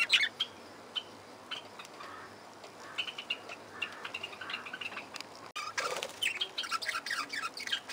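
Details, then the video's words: Parakeets calling in an aviary, sporadic sharp chirps at first, then a sudden louder stretch of rapid, overlapping squeaky chatter continuing to the end, over a faint steady hum. "Parkieten geluiden – Parakeet sounds"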